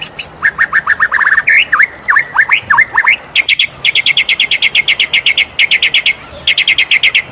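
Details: Morning song from a white-rumped shama: repeated sweeping V-shaped whistles, then a long even series of bright high chips delivered rapidly, with a brief pause near the end.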